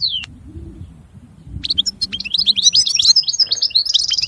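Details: A single slurred note, then a quiet gap with faint low background rumble, before a European goldfinch breaks into quick, high twittering with a buzzy trill.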